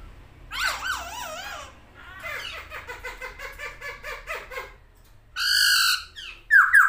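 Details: Masked laughingthrush in vigorous song with wings opened, giving wavering scratchy notes, then a long stuttering harsh chatter, ending in loud piercing whistles.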